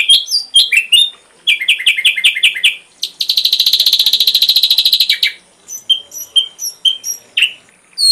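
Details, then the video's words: Varied ashy drongo song from a complete tutor recording for cage songbirds: quick squeaky chips, a run of six clipped notes, then a loud two-second buzzing rattle, followed by scattered sweet slurred notes. "Masteran srigunting abu abu isian lengkap"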